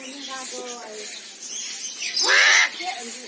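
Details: Soft, warbling, speech-like murmurs give way to one short, grating screech from an Eclectus parrot, a bird of Papua New Guinea, Indonesia and Australia.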